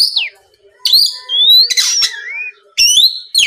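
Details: Oriental magpie-robin (kacer) giving 'gacor' lure song to provoke rivals: a falling whistle, then a long upward slurred whistle with a harsh burst and a curved whistled note, ending in sharp rising phrases after a short pause.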